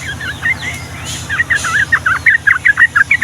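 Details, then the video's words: Yellow-vented bulbul singing a long rolling 'Ngombak Banyu' phrase for training young birds: a few slurred whistles, then crisp burbling notes repeated roughly every quarter second, over a faint steady hum. "SUARA BURUNG TRUCUKAN GACOR ROPEL PANJANG UNTUK MASTERAN DAN PANCINGAN TRUCUKAN PAUD"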